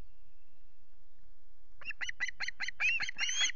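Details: Osprey near chicks on its Loch Garten nest, 5 July, nest camera: near silence, then a fast series of piercing chips that builds into longer rising squeals.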